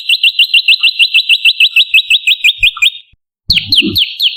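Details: Olive-backed tailorbird lure song in 'tembakan' variation for attracting and training birds: a fast string of short upswept high notes for about three seconds, a brief silence, then slower, louder, ringing notes with a faint low thump.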